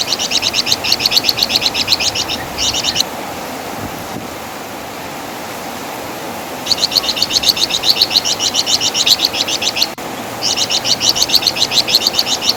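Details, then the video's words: Javan fulvetta, called flamboyan or wergan jawa, recorded as master song for tutoring songbirds. Dense runs of fast, high chattering chirps lasting two to three seconds alternate with a long quiet gap of faint background hiss. "Masteran Suara Burung Flamboyan | Wergan Jawa"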